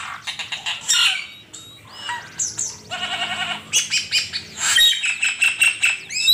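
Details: For songbird training, an Asian pied starling delivers a varied song of chattering bursts, a fast regular trill, sharp whistles and harsh squawks, phrases tumbling over each other without long gaps.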